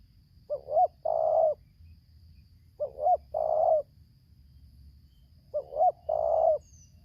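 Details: Spotted dove, a decoy bird in Lampung, set against a wild dove, singing in the 'tarik akar selang nguku' style. Three matching phrases about every 2.5 seconds, each two short hooked coos then one long even coo. Low background rumble.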